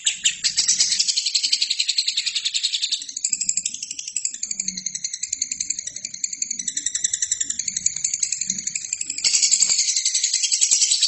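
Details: Lovebird singing steadily for a training recording meant for other birds: a long, unbroken, high buzzy rattle that shifts into wavering layered trills midway, then returns to a dense rattle, with faint low rumbles beneath.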